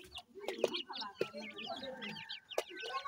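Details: Feeding francolin chicks: quick thin upslurred peeps crowd together over low clucks, with a few sharp taps or knocks standing out.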